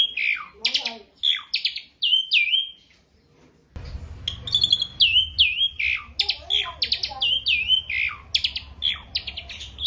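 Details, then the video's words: Beginner Asian pied starling song used as a training recording: strong whistled notes that swoop down and level off, repeated in quick succession, with a brief pause and low background hum. "Masteran Burung Jalak Suren / Jalak Suren Pemula"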